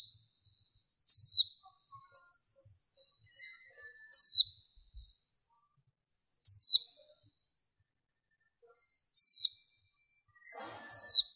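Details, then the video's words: Recording of a female warbling white-eye used to draw in wild birds and stir up males, cleaned of extra noise: piercing high downward-slurred calls at irregular intervals of two to three seconds, linked by faint chattering twitters. "Tiếng Khuyên Mái Mới Nhất Kích Trống"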